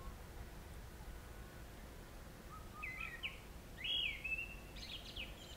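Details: Grey-winged Blackbird at Jabbarkhet in the western Himalaya, India, during the summer monsoon: quiet at first, then a few brief whistled notes and a sharper slurred phrase near the end, over faint background noise.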